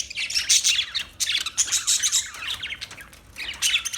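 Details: Parakeet warbling in high, twittering phrases of squeaks and buzzy trills, with a quieter gap before a final burst.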